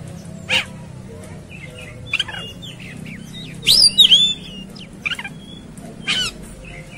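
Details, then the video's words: Scattered outbursts from an Oriental magpie-robin roused to fight: brief harsh notes and clicks, a loud cluster of bright looping whistles in the middle, and short rasping bursts separated by quiet gaps. "Segala Kacer Ikut Ngamuk Tarung"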